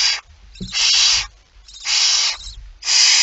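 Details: Barn owl at a nest while food is being eaten, early morning of 19 September 2019: three long, rasping hisses with short gaps and soft scuffling noises between them.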